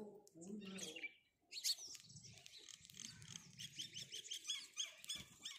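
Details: House sparrow: a low murmuring sound at first, then a steady run of rapid, high, repeated chirps over a soft low hum.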